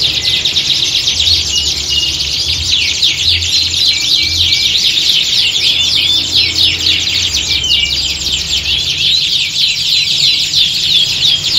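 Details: Multiple canaries in a competition-style chorus meant to toughen the birds for singing contests. Unbroken high, buzzy trilling with repeated rapid notes, about three or four a second, over a faint low throb.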